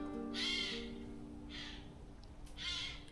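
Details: A Eurasian jay in Hatfield Forest, Essex, gives three harsh, rasping screeches about a second apart. It is an alarm call at a possible bird of prey, fox, stoat or owl, over a faint low steady hum.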